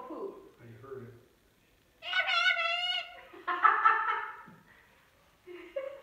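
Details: Nighttime recording beside a pet cockatoo's covered cage after bedtime. A low human voice opens, followed by a long, harmonic, wavering squawk and a shorter raspy burst, then a brief nasal note.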